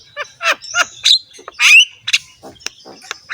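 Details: Jalak kebo in rough-voiced song with head nodding: a few harsh squawks and a rising whistle, followed by scattered sharp clicks.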